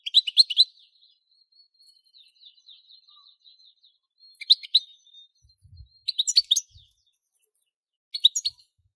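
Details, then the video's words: A goldfinch sings in short, bright twittering bursts a couple of seconds apart, with thin faint notes between the phrases. "Most sweet goldfinch singing | Goldfinch singing"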